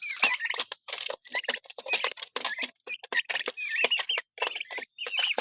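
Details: Six-week-old heritage turkeys feeding together. Soft, short whistled peeps, often rising slightly, come through steadily among dense, rapid clicking and tapping from pecking at food.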